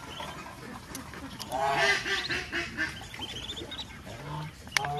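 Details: A mother duck quacks in a rapid, rasping series while taking her ducklings to eat at a village farm; high duckling peeps and faint clicks follow in the background.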